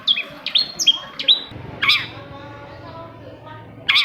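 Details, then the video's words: Lure song of a long-tailed shrike for prompting quiet shrikes: quick high whistled notes, then a rasping downslur, a pause with faint chatter, and a final harsh burst. "PANCINGAN AMPUH!!! UNTUK MEMANCING CENDET PENDIAM YANG LAGI MALAS BUNYI"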